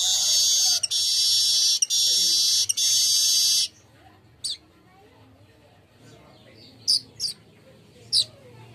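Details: Golden-headed weaver song for luring birds into singing: an intense sizzling buzz in three segments, then silence punctuated by a few isolated sharp high chips.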